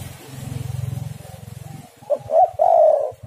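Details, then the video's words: Spotted dove coo used to lure other doves. Low pulsing mechanical buzzing fills the first two seconds, then one phrase follows: two short notes and a long mellow coo. "tekukur super gacor saling memanas"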